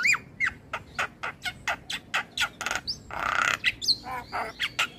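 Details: Master recording of Asian pied starling song meant to make starlings sing, a steady string of harsh chattering notes about twice a second, broken by a grating burst and a few high whistled slurs.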